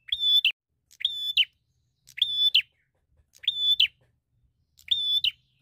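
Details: Bar-winged prinia in eager fighting song, seeking a rival. Five matching buzzy, level notes with abrupt falling tails, repeated about once a second, with faint low knocks underneath.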